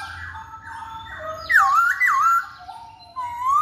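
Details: Masked laughingthrush, poksay hongkong, as a lure for males: soft low whistles, then loud wavering, looping whistled notes and a final rising whistle.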